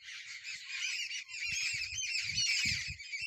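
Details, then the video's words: A group of jungle babblers in a tree in winter gives a dense, harsh chatter of overlapping squeaky notes from several birds at once, with low thumps and handling noise underneath. "jungle bubbler sound"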